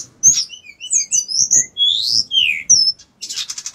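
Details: Energetic bar-winged prinia song of thin high whistles and swooping slurred notes, ending in a fast buzzy trill.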